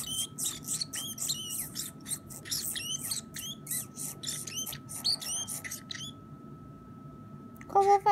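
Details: A 9-year-old pet Pacific parrotlet (Forpus coelestis), chewing and talking a little in September 2017, chatters in tiny, high, squeaky chirps and mumbles for about six seconds over a steady hum, then a person's voice follows briefly.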